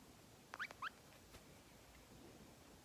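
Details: A 2.5-year-old male green-cheeked conure kept as a pet, nestled against his owner's neck, gives a quick burst of crisp tongue clicks mixed with two or three short rising squeaky chirps, then falls quiet.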